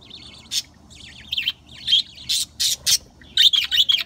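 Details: Young budgerigars in an aviary, on their first time there, chirp and chatter in quick, warbling bursts mixed with harsh, scratchy squawks, responding as their father flies and chirps between perches.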